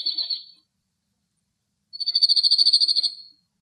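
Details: In cloudy, windy Greek countryside a male Cirl Bunting sings from a rock: the tail of one trill, a pause, then a full, loud, evenly pulsed rattle of quick repeated notes lasting about a second and a half.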